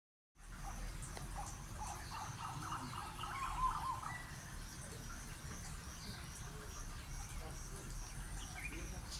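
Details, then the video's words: Eastern plantain-eater giving a quick run of harsh, cackling notes for about three seconds, over steady low rumbling background noise and faint high insect buzz. "sights sounds of the crinifer zonurus"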